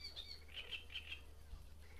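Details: Great reed warbler recorded at Grachevka during breeding observations: a short burst of four grating, chattering notes in quick succession, preceded by two higher notes, over a constant low-pitched hum.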